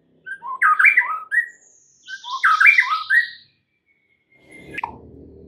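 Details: Full 'isian' song of a white-rumped shama used to make other birds start singing: two dense bursts of jumbled whistles and chirps, then a thin note and faint rustling.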